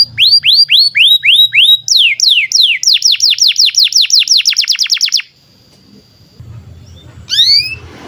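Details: Canary song for training young canaries and birds that have stopped singing: looping whistled notes accelerate into a fast descending series, then fade to a quiet pause with low background noise and one last phrase.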